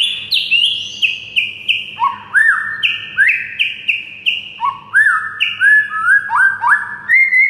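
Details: White-rumped shama song used as a training recording to stir a silent bird into singing: clear whistled notes held flat, then stepping down and rising in short phrases about a second apart, with a faint low hum beneath.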